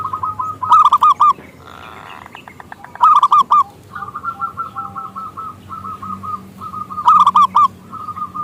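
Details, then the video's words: Local zebra dove lure song for inviting other doves: loud stuttered coo bursts separated by long runs of softer, rapid, evenly repeated notes, with brief rustling in one gap. "Perkutut Lokal Gacor suara Besar pancingan perkutut"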